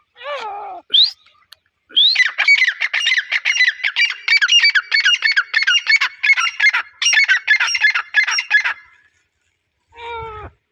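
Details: Grey francolin calling: a few falling nasal notes, then a long run of harsh, rapid, raspy repeated notes for about seven seconds, ending with another falling note.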